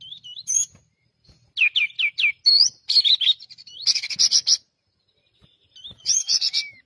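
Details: Persistent pied triller song: a quick string of four falling whistles, clipped chips, then a long harsh buzzing trill and a closing rising whistle.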